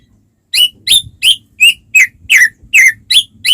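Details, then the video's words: White-rumped shama song meant to prompt other shamas: a regular string of about nine emphatic, slightly harsh notes, one every third of a second, over a soft low background rumble. "suara burung murai batu gacor sangat cocok buat pancingan murai batu agar cepat bunyi ikut gacor"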